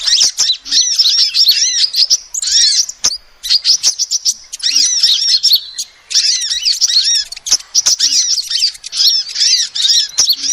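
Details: Female sunbird call used as a lure, a dense run of high, thin twittering chirps with arched, down-curving notes, in bursts broken by short pauses, plus a few sharp clicks.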